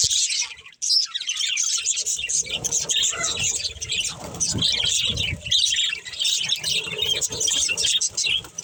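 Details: Pet budgerigar family chattering with high squeaky chirps and warbles, interrupted by a short pause early on, over a low rumbling background noise.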